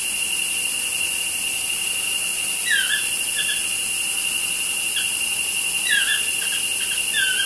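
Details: Toucans chatting just outside a studio window give scattered, brief falling yelps, mostly in the second half, while a constant shrill insect hum fills the background.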